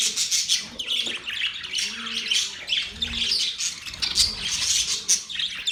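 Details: Happy budgies chirping: busy high-pitched warbling chatter with scratchy squawks and quick twitters, and faint low arching hums underneath.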